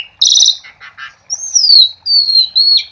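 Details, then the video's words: Lure song of a 'gacor' Asian pied starling for getting silent starlings to sing: a loud harsh rasp, a couple of croaking notes, then long pure whistles gliding slowly downward, one after another. "Suara Jalak Suren Gacor untuk Pancingan"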